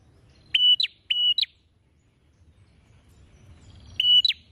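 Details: Prinia in lively song gives two quick phrases back to back, then one more after a pause. Each is a flat, piping whistle that ends in a sharp downward snap.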